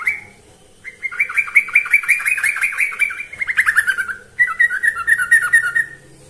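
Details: Yellow-vented bulbul in full voice, used to train birds: after a short quiet start, a long, gently falling chatter of rapid notes, then a brighter warbled phrase after a slight break.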